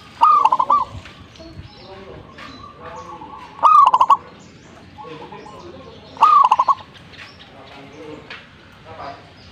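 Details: Lively zebra dove song repeated roughly every three seconds: three phrases, each a slurred rising coo breaking into a stutter of clipped notes. Fainter bird chirps and a soft background hum fill the gaps.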